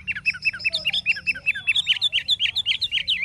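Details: Caged wild-caught Chinese hwamei in forest-style song, pouring out a steady stream of short, rapid, slurred whistled notes, roughly five or six per second, rising a little in pitch toward the end.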